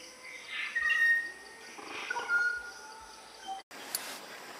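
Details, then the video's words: Malaya black magpie (takar kambing), a treepie, sings two short bursts of clear whistled notes a second apart, over a steady background hiss with a few soft knocks. "Kicau Takar kambing| Murai Hitam Malaya《Malaya black Magpie》"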